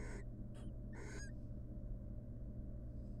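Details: Wild female barn owl courting her mate at the nest box where she incubates their eggs. A rasping hiss, a brief thin chirp, then a longer raspy screech that ends in a twittering, wavering note, followed by quiet low hum.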